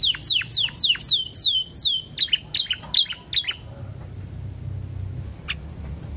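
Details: Canary song used as a lure to stimulate other canaries: a run of rapid steeply falling whistled notes, then a few sharper chips, fading into quiet background hum.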